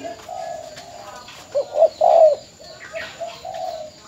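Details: Caged spotted dove used as a decoy, from Bến Tre, Vietnam, sold and filmed in farewell, utters a short run of low hollow coos, the loudest a stretched note near the middle.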